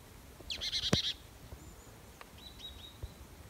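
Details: Marsh tit (Poecile palustris) in the Golak highlands, Kosovo, 18 August 2019, gives a quick, sharp burst of high chattering notes, then a few faint, thin whistles; soft clicks and light background noise.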